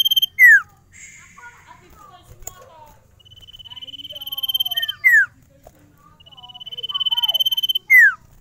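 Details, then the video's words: Varied Sirtu song, from a bird said to sing without stress wherever carried: loud sharp downslurred whistles alternate with swelling rapid trills and soft twittering notes. "SIRTU GACOR ANTI STRES !! FULL VARIASI SUARA CIPOW GACOR DOR"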